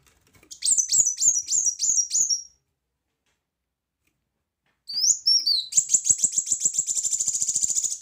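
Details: Loud kolibri wulung, the brown-throated sunbird, for tutoring other birds: a rapid series of high chirps, a silent gap, then short slurred whistles running into a long, fast, dense high trill.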